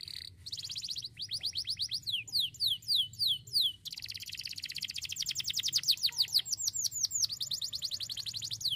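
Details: Starblue canary, singing loudly and sharply, pours out rolling trills, evenly spaced falling whistles, then an extended dense high chatter of rapid notes.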